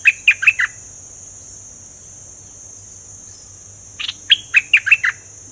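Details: A fully feathered pet bulbul, named as a merbah lekir, sings two short bursts of four or five rapid, bubbly notes a few seconds apart over a steady high hiss.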